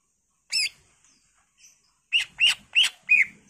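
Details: Greater green leafbird song in gacor full isian style, used as a pancingan lure: one loud note, quiet soft calls, then four strong downslurred whistles about a third of a second apart.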